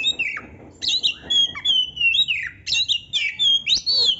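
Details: Canary-imitating song from an oriental magpie-robin: a fast string of rich whistles, squeaky slurs and twangy descending notes delivered in rapid bursts roughly twice a second.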